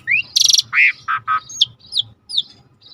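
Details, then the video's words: Starling song on a river-sound training track: a rising whistle, a harsh buzzy burst, then throaty notes and several high descending whistles. "Jalak Langka Masteran Alam Sungai | Deep Nature River Sound for Starling"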